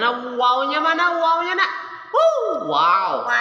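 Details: A pet Nias hill myna mimics speech, repeating "Assalamualaikum" and similar words, then gives sharp, swooping, nasal phrases that rise and fall, human-like and clearly pitched.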